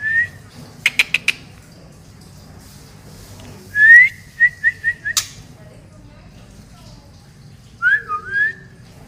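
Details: White-rumped shama, Medan-type murai batu from Indonesia, sings short bright whistles. A rapid burst of clicks is followed by a rising whistle with a series of repeated quick notes, then a later pair of falling whistled slurs.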